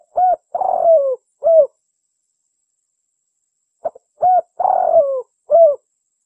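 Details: Lure call of a spotted dove for drawing in other birds: a phrase of soft coos with a long quavering downward-sliding middle note, given twice about four seconds apart with silence between.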